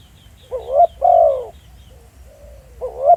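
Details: A decoy spotted dove calling live in the field gives a soft two-part coo, a brief upswept note and then a drawn-out falling one. A second phrase begins near the end, with a faint murmur between them.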